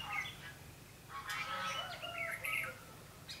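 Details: Red-whiskered bulbul decoy used in trapping, 21 November 2016: a few quick whistled and chirped notes, some sliding downward, separated by short pauses, faint and slightly hissy.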